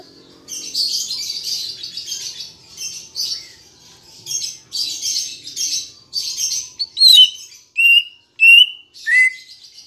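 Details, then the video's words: Green leafbird song, played to coax caged birds into singing: long stretches of high scratchy warbling, then clear whistles, each dropping in pitch, spaced about half a second apart. "Pancingan Cucak Ijo Biar Bunyi dan Cepat Gacor"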